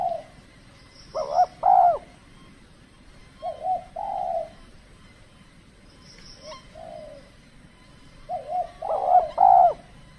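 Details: Cold-season decoy trapping of spotted doves in Kepri, with the birds reluctant to respond. Scattered mellow coo phrases come at uneven intervals, some near and loud, others quieter, with a few faint high chirps between them.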